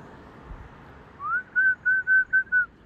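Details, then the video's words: A magpie sings a clean whistled series: one rising slur followed by five short, even, flute-like notes in quick succession against a quiet background. "Singing Magpies."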